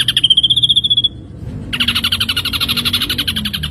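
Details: Ashy drongo used as a training recording for songbirds: a rapid pulsed trill held near one pitch, then a broader buzzy rattle of fast repeated notes after a brief pause.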